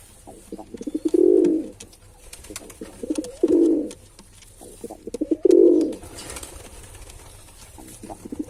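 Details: Male pigeon calling with deep, rolling coos; three swelling phrases about two seconds apart, each opening with short stuttered notes, then a quieter stretch with soft rustle in the room.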